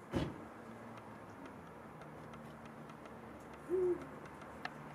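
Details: Eurasian eagle-owl after sunset giving a single short, deep hoot near the end, preceded by a sharp knock at the start, with a faint low hum throughout.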